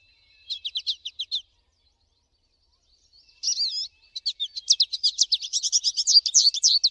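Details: Singing American goldfinch in the wild: a short series of high chips, a silent gap, then a long excited run of rapid twittering and warbled notes building in loudness.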